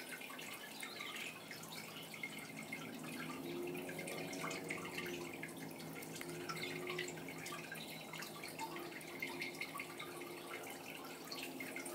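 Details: Dripping and running water in a small indoor room, with a faint low hum partway through and no clear animal voice.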